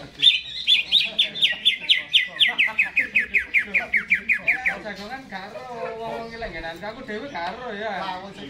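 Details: Caged greater green leafbird in lively song before hanging: a fast series of sharp notes sliding gradually lower, followed by softer, throatier warbling.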